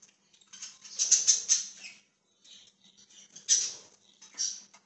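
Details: Loud budgerigar chirping recorded 1/20/2023: a cluster of sharp bright chirps with gritty chatter, silence, then another harsh burst and a final rough phrase.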